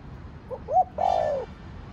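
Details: Single spotted dove phrase in the 'thổ đồng' style: two faint short notes, a stronger rising-falling note, a brief pause, then a long, full, gently falling coo.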